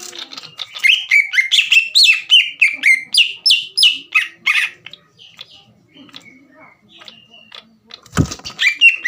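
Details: Gacor cucak ijo (green leafbird) song meant to stir rival birds to anger and song: a dense burst of fast bright sweeping notes for about five seconds, a quiet stretch of soft notes, a sharp knock, then more chirps.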